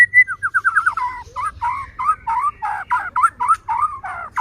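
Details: White-rumped shama song used as a lure to provoke other shamas into singing and make them agitated: a rapid series of short whistled notes around the mid range, repeated in quick bursts with varied, slurred phrases.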